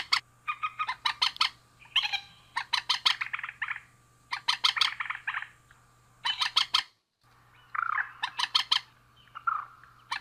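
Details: Male and female rails exchanging calls: loud, rattling clusters of harsh clucks mixed with squealing, wavering notes, coming in bursts with brief pauses, one short silent gap, and a steady low hum.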